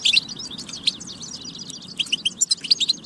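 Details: European goldfinch singing, used to stimulate other goldfinches to sing; rapid twittering of short high chirps and trills, with a burst of spaced chirps near the end and faint low background hum.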